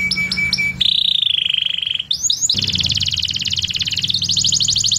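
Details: Canary song that opens with short repeated chirps, then moves into long, fast, high rolling trills that change pitch and speed from one section to the next, over a faint low hum.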